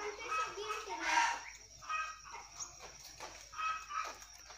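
A hill myna mimics a chicken in hoarse, voice-like bursts, several over a few seconds, with a child's speech in the background.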